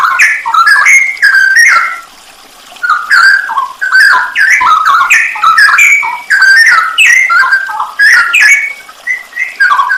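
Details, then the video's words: Masteran recording of a straw-headed bulbul (cucak rowo) with full 'isian nembak' fills, made to train songbirds: rich bubbling whistles in quick varied phrases, brief silence around two seconds, then continuous warbling. "masteran cucak rowo full isian nembak"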